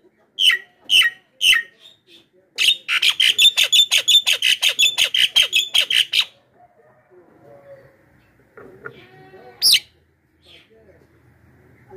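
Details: Loud Javan myna lure call meant to attract wild mynas: three harsh notes, then a rapid run of about fifteen grating, rattling bursts. A quieter spell follows, ending in one sharp squawk.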